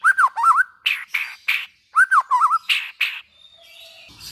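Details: White-rumped shama song meant to spur other shamas to sing: looping warbled whistles alternating with harsh rasping notes, the phrase repeated twice.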